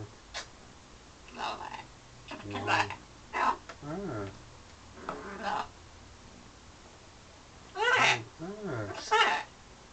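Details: Indoor parrot in London, flirting at the mirror and with birds outside: irregular chatter of short harmonic calls, some bending up and down in pitch, spaced by pauses, with a cluster of louder calls near the end.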